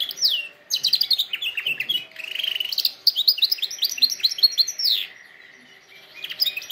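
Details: Canary song used for training canaries: fast rolling trills and repeated whistled syllables mostly high-pitched, bursts of rapid notes with brief pauses, including a sustained lower tour near the end.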